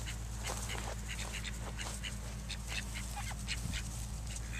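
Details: Call ducks, a mallard-looking drake outside looking in, not letting another drake near his hen; quick, irregular runs of short, harsh quacks, about four a second, over a steady low hum. Domestic duck.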